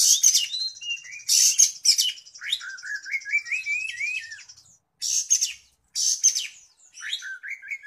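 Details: Caged oriental magpie-robin (kacer), described as a lively singer day and night, ready for song contests: varied phrases of rasping high bursts, trilled buzzy notes and rising whistled slurs, with short pauses between phrases.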